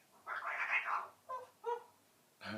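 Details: An 11-month-old eclectus parrot kept as a pet, talking away indoors: a drawn-out harmonic utterance followed by two short clipped syllables and a burst at the end, between a person's prompts.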